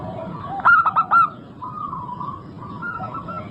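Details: Singing local zebra dove producing a bright burst of four rapid, vibrating coos, then softer, drawn-out coos from other doves in the background.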